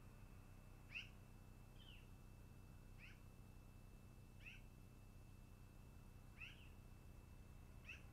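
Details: Long-eared owl at its nest, recorded 10-08-2018 around 13:32, giving thin, squeaky calls that slur downward every one to two seconds, over a steady low hum and a faint high whine.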